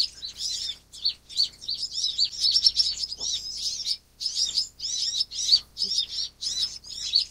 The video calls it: 紫喉藍肩花蜜鳥(藍肩紫喉花蜜鳥)/Van Hasselt's Sunbird